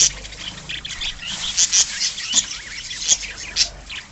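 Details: Budgerigars in a pet bird colony, chirping in a busy overlapping chorus of short high squeaks and twitters, with a few louder sharp notes standing out, over a faint low hum.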